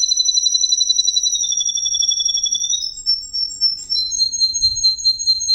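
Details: Male Russian green canary singing a demonstration song: high rolling trills held steadily, dipping slightly lower, then switching to brighter, higher trilled phrases after a brief break.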